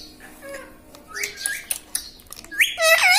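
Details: Pet parrot indoors, the talking bird that says "mitthu" and "mummy", mostly quiet with scattered clicks before ending in a loud, harsh, bending squawk.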